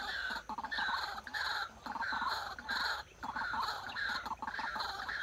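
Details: White-breasted Waterhen kept as a trapping decoy calls in rhythmic bursts of rough, nasal, chuckling notes, grouped in phrases separated by short silences.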